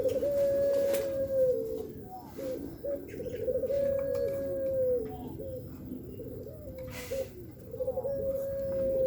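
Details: Sunbathing pelung dove calling with long, even, low-pitched coos, each preceded by short clipped notes and separated by brief pauses, in a quiet outdoor setting.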